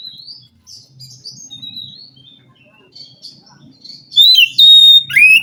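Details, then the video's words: Wild forest white-rumped shama answering a captive bird that will not sing; soft varied whistles over a low hum, ending in loud clear whistles and a descending slur. "Suara Kacer asli hutan mampu merespon Kacer yang malas bunyi Kacer macet"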